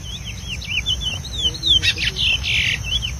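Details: Wild chestnut-bellied seed finch singing in the bush in the preseiro song style: a run of clear, wavering whistled notes followed by a couple of brighter, buzzier phrases, over steady low rumbling background noise.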